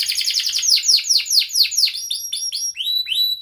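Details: Lively canary song used to coax lazy or mute canaries: rapid series of sharp downward-swept chirps, about four per second, shifting midway to higher, clipped whistled notes.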